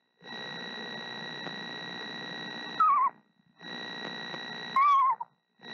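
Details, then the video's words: Female screech owl incubating her eggs in late March, singing softly to the unhatched owlets: two short wavering, descending whinnies about two seconds apart, over a steady mechanical hum and hiss. "Mother Screech Owl Sings To Her Eggs"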